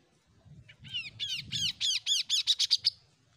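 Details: Untrained Oriental magpie-robin just beginning to sing: a series of about ten loud, arching slurred notes that quicken and rise, ending in short high notes, with a soft low rumble underneath.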